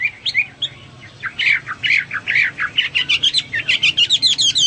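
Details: Hwamei song beginning softly after a short pause, then building into loud, quick whistled notes repeated about once a second, speeding into a rapid stuttering series near the end.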